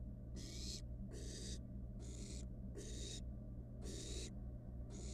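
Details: Wild barn owl nestling in a research nest box, playing with its dinner, giving six loud rasping hisses about one per second, over a persistent low hum.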